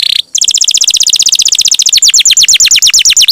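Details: Canary singing persistently, a champion long-roll song for training songbirds: a short buzzy note, then a long, even, rapid roll of bright paired notes that slows into looser descending strokes.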